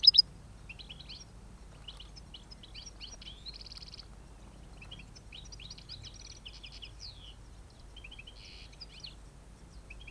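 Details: European goldfinches during an autumn capture on 5 November 2017, a scatter of quiet high twittering notes and short buzzy trills from several birds, steady faint background hiss.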